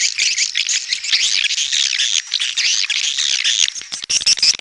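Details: Loud, continuous swiftlet chatter of high, squeaky chirps densely overlapping, ending with a few thin whistled notes.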